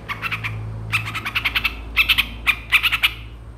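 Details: Long-tailed shrike (Lanius schach) song: quick bursts of harsh, chattering notes grouped in clusters about every half second, over a low steady hum.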